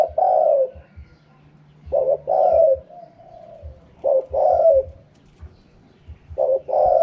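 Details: Spotted dove giving its 'karam pa' wild-style song: deep, burry two-part coos, a brief stuttered lead-in then a drawn-out falling coo, phrases about every two seconds, with a soft low background hum.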